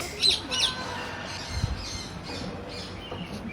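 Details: A pet macaw kept at home gives two short, harsh squawks in quick succession, followed by a low, steady background hiss.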